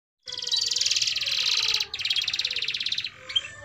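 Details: Singing domestic canary, a vigorous long-lasting song meant as a tutor for young canaries learning to sing: a rapid buzzy trill rolls on for over a second, breaks briefly, then a second fast trill follows and ends in a faint high note.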